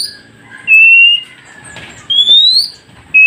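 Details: Oriental magpie-robin whistles for training newly caught wild birds to respond: three separate long, pure whistled notes, the middle one rising smoothly, spaced by quiet gaps with faint background hiss.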